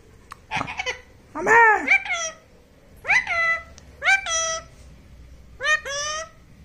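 A parrot chatters in short, harmonic-rich, speech-like phrases, about five bursts over several seconds, with nasal rising and falling tones in a small room.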